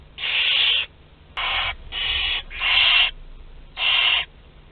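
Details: Barn owl young, two to twelve days of age, during a group meal at Théding, France, 29 April 2021: five harsh breathy screeches in quick irregular sequence, the first and fourth longest.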